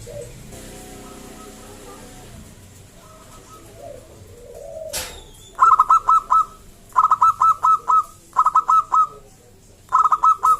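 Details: Local wild zebra dove, a strong singer whose song is used to coax other zebra doves to call. After a quiet start and a sharp click come four quick bursts of crisp, evenly pitched staccato notes separated by short pauses.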